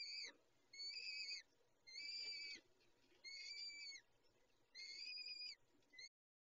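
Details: Peregrine falcon at feeding time gives a steady run of five loud, rasping-edged harmonic wails, each about half a second to a second long, spaced almost evenly before abruptly cutting off.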